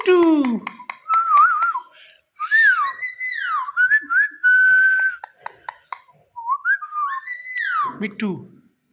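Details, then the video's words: Talkative pet Indian ringneck parakeet indoors, whistling a series of pure, level and gently wavering notes, some sharply up-slurred or down-slurred, broken by short clicky sounds and brief pauses. "Mithu Mithu ki Pyari Awaaz | Indian Ringneck Green Parrot"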